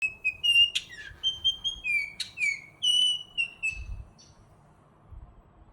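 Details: One of a pair of Altamira Orioles in the Rio Grande Valley of South Texas gives clear, fluty whistled notes with a few harsh chattering bursts, in a loose series over about four seconds, then falls quiet.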